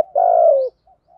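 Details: Spotted dove cooing in the Thổ Gù singing style, used to lure wild doves back: one long, low, steady coo slurring slightly downward, then faint short coos.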